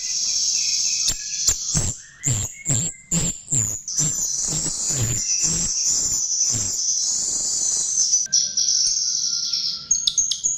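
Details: Chestnut-tailed starling lure song: shrill, continuous high warbling punctuated by a long run of loud, sharp clicking notes roughly twice a second, then steadier warble.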